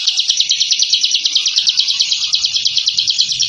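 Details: Ciblek, the bar-winged prinia, in continuous 'ngebren' song used as a training recording for caged birds: tightly packed, rattling high notes at about three per second, steady and unbroken throughout.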